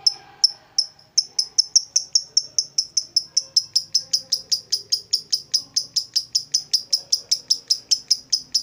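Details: Lovebird, a hobbyist's cage bird, giving sharp high chirps that begin spaced apart and settle into a steady series of about three clipped notes per second, each one bright and short.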